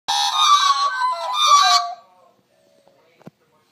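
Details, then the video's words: Three Australian magpies singing in the morning give a two-second burst of rich, warbling carols with a harsh, grating edge, then fall quiet apart from a couple of soft clicks. "Australian Magpies singing"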